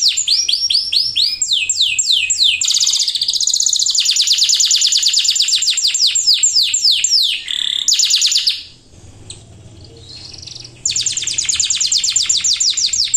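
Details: Lively canary song meant to coax quiet or young birds into singing: long runs of fast, high repeated notes change pace and texture, break off briefly into near silence, then resume as a rapid, steady trill.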